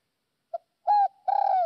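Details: Decoy spotted dove from northwest Vietnam, good-voiced, starting a phrase: a short soft note, a level mellow coo, then a long burry coo cut off at the end. No other sounds.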